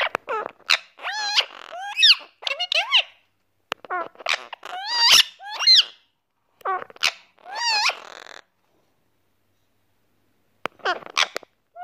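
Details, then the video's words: A courting rose-ringed (Indian ringneck) parakeet chatters in quick bursts of harsh, squeaky squawks and bending, warbled whistles, then falls quiet before a last short burst. "KUR YAPAN PAKİSTAN PAPAĞANI"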